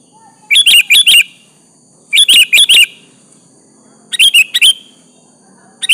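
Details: Sooty-headed bulbul singing loudly to call a rival and make it answer: short bubbly phrases of about four quick, liquid, rising-falling notes, repeated roughly every two seconds in a quiet setting.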